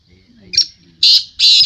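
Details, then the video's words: One short sharp note then two longer, loud rasping high bursts from a black francolin at a 2022 calling tournament, with soft speech in the background. "Black teetar voice tournament Black Francolin voice"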